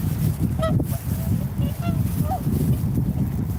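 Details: Swan calls: short nasal honks, a louder one early and two softer, slightly rising ones further on, over a steady deep rumbling background noise.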